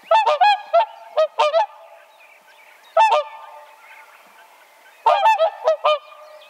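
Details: Whooper Swan calling in clustered bursts of loud, trumpeting honks, two or three notes at a time, separated by quieter pauses with soft background honking.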